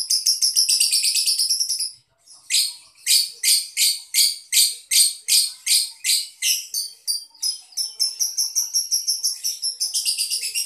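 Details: Lovebird, a kept show bird from the Boyolali area, known for long drawn-out trilling; bright high rapid notes run in a continuous trill, breaking briefly then resuming as fast repeated pulses about three per second, ending in a dense chatter.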